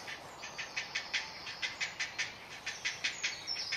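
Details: Great blue heron chick begging for food at a nest in a colony in Delftse Hout, Delft, the Netherlands: an even series of harsh clicking pulses, about five a second, steady and insistent, with a brief thin whistle near the end.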